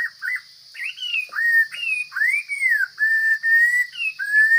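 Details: Loud whistled song of a wild forest Chinese hwamei: swooping, arched and level notes strung together with short gaps, roughly one phrase a second, over a steady high whine.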